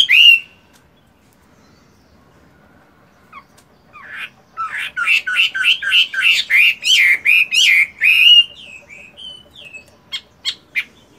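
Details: Chinese hwamei, a caged fighting bird in good plumage, singing in morning practice while moulting: one loud whistle, a pause, then a long rapid string of rich, ringing whistled notes ending in scattered short chirps.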